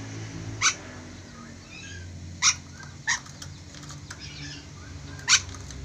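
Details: Ornate lorikeet, an Indonesian endemic, calling; four loud, harsh, screechy shrieks spaced irregularly about one to three seconds apart, with low humming background.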